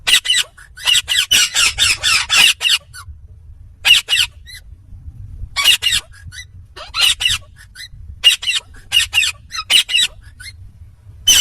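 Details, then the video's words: Indian ringneck parakeet said to be talking, giving loud, harsh, broadband bursts: a fast run of about eight squawky syllables, then scattered single and paired bursts separated by pauses, with a low background rumble. "Indian Ringneck Talking parrot"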